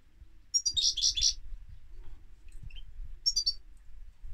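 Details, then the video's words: Singing European goldfinch giving a rapid run of repeated tinkling notes, then a short pause and a second, briefer twittering phrase; faint low background rumble. "Goldfinch Singing - Cantec de Sticlete - Chardonneret"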